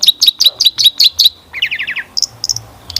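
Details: Long-tailed shrike lure song with mixed phrases: a quick run of repeated bright chirps, then a descending buzzy series, then a few spaced high whistles.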